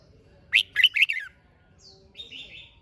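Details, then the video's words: Red-whiskered bulbul giving a competition-style song to spur birds to sing. One loud phrase of rising and falling whistled notes, trailing off, then a soft higher warble in the distance. "Chào Mào Hót - Kích Chim Hót Xung"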